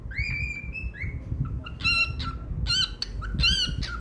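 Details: Singing pet cockatiel in a happy mood gives long steady whistles, then a burst of rapid ringing chirps in quick pairs, against low background rumble.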